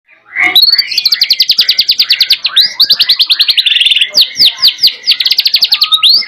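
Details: White-rumped shama, a bird in full song with canary song imitations: rapid runs of sharp repeated notes and trills, mostly high and bright, with some swooping whistled phrases, sung continuously and loudly.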